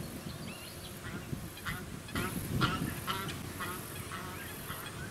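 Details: Pacific black duck, Anas superciliosa, at a small artificial lake on the Sunshine Coast, Queensland, in December 2017: faint, nasal harmonic calls given repeatedly over steady wind rumble, with other birdsong and suburban noise behind.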